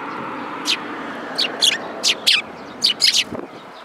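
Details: Sparrows at a Tenmangu shrine in Japan, 3 May 2022, fighting for a place on a feeding hand; separate high, sharp chirps roughly every half second over a low background rumble.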